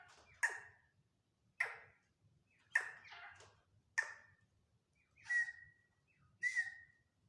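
A black francolin gives harsh, scratchy notes about once a second, then two longer, whistled notes; the sound echoes faintly as if indoors.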